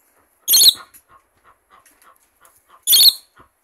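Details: Rainbow lorikeet giving two harsh, shrill, grating screeches about two and a half seconds apart, each brief and noisy, with faint soft chattering notes in between.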